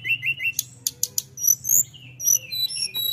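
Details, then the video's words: Flowerpecker singing in full voice: a few short high whistled notes, then sharp high clicks and thin sliding whistles in an irregular sequence, with a low steady hum behind. "Kicau Burung tledekan full gacor"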